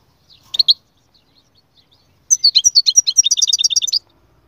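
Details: Goldfinch gives a couple of short high chirps, then a lively phrase of quick twittering notes settling into an evenly repeated, ringing double-note trill lasting over a second.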